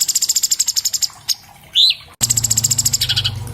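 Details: Cucak cungkok song on an iPhone 7 Plus, meant to prompt caged birds to sing: a quick high ticking trill, one upward whistled slur, then another dense trill after a brief break.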